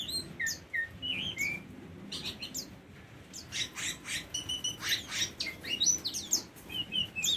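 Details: Tame Oriental magpie-robin opening with a few spaced, rising whistled notes, a short pause, then a livelier stretch of mixed chirps, clicks and sweet slurred whistles repeated in quick succession.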